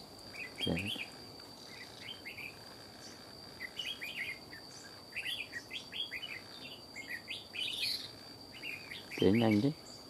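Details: Fierce wild red-whiskered bulbul answering a decoy: lively, rapidly repeated chattering phrases of bright up-down notes throughout, a steady high insect tone, and a man's voice speaking briefly at the start and end.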